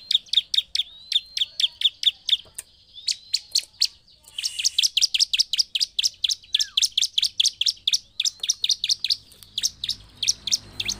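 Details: Bar-winged prinia in lively, persistent song used to provoke other prinias: long runs of sharp, high chirps repeated several per second, a brief pause near the middle, then a denser, louder burst of rapid notes.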